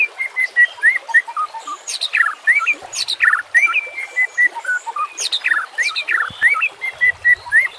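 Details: White-rumped shama song recorded as a training and lure track, set with nature sounds and trickling water: rapid varied whistled phrases, clear repeated mid-pitched notes alternating with sharp sweeping and rattling bursts, over a steady hiss of water.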